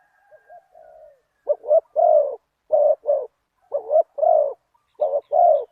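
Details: Spotted dove (nok khao yai) calling as a decoy toward a target wild dove in a big-voiced one-kuk style. Faint soft coos at the start build into loud repeated phrases: a double note, then a long rounded coo.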